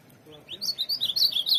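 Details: Short, lively warble from a tournament-trained ultramarine grosbeak, its slurred whistled notes quickening and rising in loudness across about a second.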